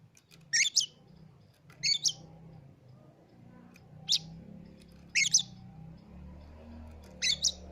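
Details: Recently bought caged Oriental magpie-robin, formerly silent with its first owner, gives sharp, harsh chattering double notes repeated at irregular intervals of one to two seconds over a steady low hum.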